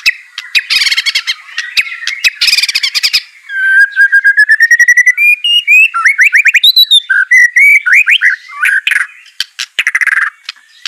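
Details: White-rumped shama, a caged bird trained to sing, pours out a rich varied song: harsh buzzy bursts, then long runs of fast rising whistled notes stepping upward, and loud rattling phrases at the end.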